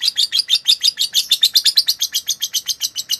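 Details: Lovebird training song for other birds: rapid sharp twittering notes in a steady rattling sequence, shrill and high, with nothing else audible.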